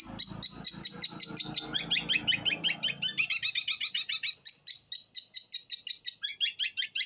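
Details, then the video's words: Continuous 'los trotol' singing by a long-tailed shrike: a steady, rapid string of short chirps at nearly three per second. The notes shift from buzzy mixed phrases to cleaner high repeated notes, with low rumbling at first. "BURUNG CENDET GACOR SUARA LOS TROTOL"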